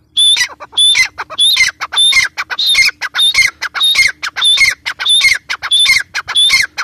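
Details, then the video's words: A grey francolin calls loudly and harshly, shrill squawking notes with a whistled ring, repeated over and over at a quick, steady pace of about one and a half per second. "Teetar voice | teetar sound | gray partridge sound"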